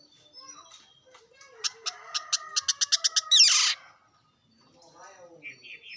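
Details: Bird song, described as a lonely bird sound: soft scattered notes, then a quickening series of about ten clear, evenly spaced pulsed notes, ending in a loud rasping burst, followed by quieter warbled phrases.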